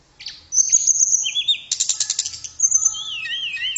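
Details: Sweet song of a tledekan (blue flycatcher) for coaching songbirds: sharp high whistled notes, a dense burst of rapid chattering, then a lower, wavy, sliding whistle to close.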